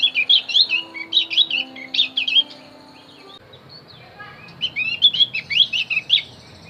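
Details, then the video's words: Javan grey-throated white-eye song used as a lure for wild birds: bursts of bright, jumbled high chirps and twitters, a three-second pause, then another lively twittering phrase. Faint low hum underneath. "opior Jawa pasti nyaut pancing dengan Opior Jawa ini"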